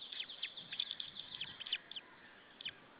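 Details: Wild male white-tailed eagle shouting from the nest at Saunja, Estonia, in late April, 19:06, as a second eagle appears: quick run of shrill, yelping notes that slows and thins toward the end, with a final pair of yelps.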